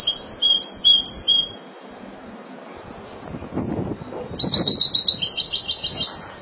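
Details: Malaga-style song of a Spanish goldfinch, opening with a few clear, high chirped notes. After a quiet gap with some low rustling, a longer run of fast, tinkling, high-pitched twitters follows.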